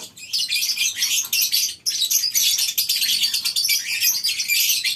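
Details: Many lovebirds in a colony cage on a breeding farm at morning time, producing loud, sharp, overlapping chirps in a near-continuous scratchy chorus, with one clear break just before the two-second mark.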